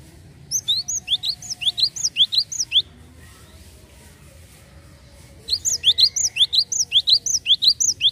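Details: Java sparrow used as a lure call for untrained birds gives two quick bursts of bright, high chipping notes, several per second, with a quiet pause between bursts over a faint low hum.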